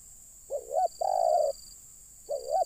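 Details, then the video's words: One full spotted dove phrase heard during wild-bird luring, a brief wavy double note and then a long steady coo, followed by the start of the next phrase. A high thin tone hums in the background. "Mikat Terkukur..ll Keren kalau Burung liar Sudah Turun"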